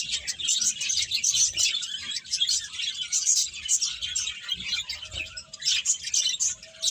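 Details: Many birds chatter at once, a bright, high-pitched jumble of short chirps rising and falling in loudness, with soft low thumps in the background.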